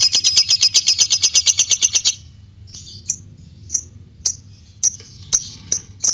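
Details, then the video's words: White-beaked lovebird in 'ngekek panjang' style: about two seconds of pulsing, high, buzzy trill with even beats, followed by scattered short sharp chirps. "LOVE BIRD ngekek panjang"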